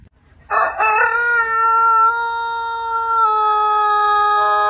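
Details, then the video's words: Rooster crowing in a compilation of funny rooster noises: a loud, sustained, strongly harmonic crow held almost level for about four seconds after a brief ragged start, with no other clear sounds. "Funny Rooster Crows!!!"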